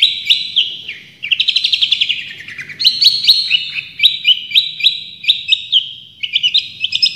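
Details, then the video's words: Training recording of a Long-tailed shrike singing its full range: energetic chattering phrases, quick buzzy trills and whistled notes, delivered in fast repeated bursts about four per second. "Masteran Cendet Juara full tembakan"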